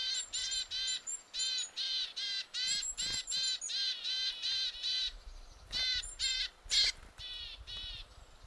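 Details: Willow tit calling forcefully: a steady run of harsh, nasal, buzzy notes, each rich and layered, repeated about twice per second with brief gaps, joined by a few thin, very high, short tones.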